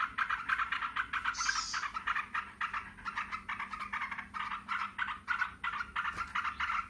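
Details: Yellow-vented bulbuls (trucukan) call noisily back and forth to each other in busy, bubbly mid-pitched chatter of about three notes a second, several birds overlapping, with one brief higher buzzy note.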